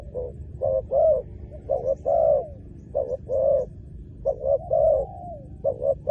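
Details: Spotted dove cooing while used to lure in wild doves to the ground, with quick paired notes and longer swelling coos, one ending in a descending drawn-out tail, amid steady low noise.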